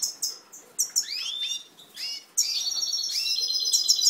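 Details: Captive-bred European goldfinch producing short sharp tweets, a cluster of rising slurred notes, then a sustained high twittering trill with buzzy overtones.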